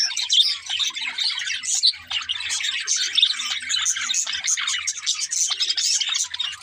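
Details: Happy budgerigars sing while playing, giving loud, bright chirps and rapid warbled twitters from a chattering group, with a soft low hum in the background.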